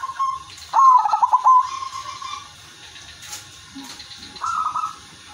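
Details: A silver-coloured zebra dove, used as a lure bird to draw other doves into song, sings soft coos near one pitch, then a fast, rippling trilled phrase, with another cooing burst near the end. Faint background hiss.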